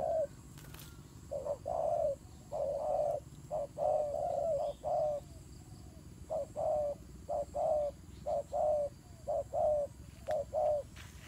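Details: Turtle dove in a fight, pouring out rapid series of short and long coos, tightly packed, with sharp clicks and light background noise.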